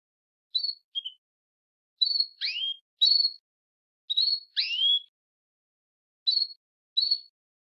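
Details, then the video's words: Female canary giving its mating-phase call, used to stimulate males to sing: clear, high whistled calls in pairs, some sliding downward, repeated about every second against a silent background. "chante femelle canari n2 نداء أنثى الكناري لتجهيز الذكر"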